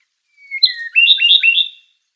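Okinawa nightingale song: one thin falling whistle, then a quick run of high, bright, slurred notes, all over in about a second and a half. No other sounds.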